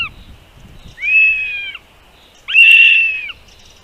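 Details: At a nest where a mother bird feeds her babies, two drawn-out high thin calls, each under a second, with overtones, separated by a short quiet gap.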